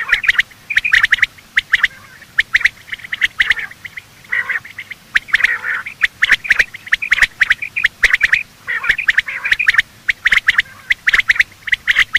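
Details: Quail morning calling, both male and female, as used by hunters to attract birds: repeated raspy notes in clusters roughly once a second, mixed with crisp ticking clicks over twelve seconds.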